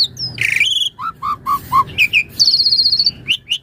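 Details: Asian pied starling song used as a training master for other starlings: a varied run of harsh buzzy bursts, low whistled notes near one pitch, then a rapid rattling trill and sharp rising chips.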